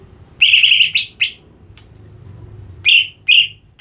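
A greater green leafbird gives loud, high, buzzy bursts: a long rasping phrase, two quick notes, then two more after a pause, over a faint low hum.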